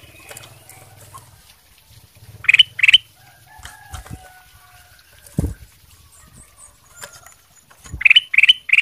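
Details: Masteran training song of a Ruby-throated bulbul: two or three loud sharp notes, then a gap filled with scattered thumps, rustling and faint background chirps, then another short trio of bright notes.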